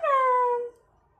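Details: Alexandrine parakeet trained to say "Ram Ram" utters one drawn-out, smooth, voice-like syllable, steady and gently falling in pitch and lasting under a second, followed by quiet.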